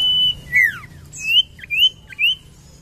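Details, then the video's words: Common iora, used as a lure for birds slow to sing: a long level whistle, then a downslurred note and three short rising-falling whistles at even spacing, with high thin sweeps above. "PANCINGAN BURUNG SIRTU / CIPOH MALAS BUNYI"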